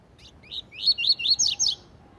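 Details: Double-collared seedeater song in the tui tui zel zel style, used for tutoring young birds: a brisk run of about six sharp, swept whistled notes, climbing then dipping in pitch and growing louder toward the end, over a quiet background.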